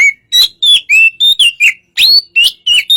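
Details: Oriental magpie-robin in relaxed song, played to get another magpie-robin to answer; a lively string of around ten varied whistles, some rising, some falling, and some slightly buzzy, given in quick succession.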